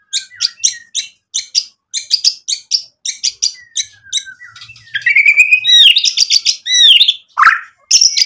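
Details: White-rumped shama singing hard with varied material, used as a lure to agitate rival males: a fast series of scratchy, chattering chirps about twice a second, building into loud, rich whistled phrases with sweeping, buzzy and squealing notes.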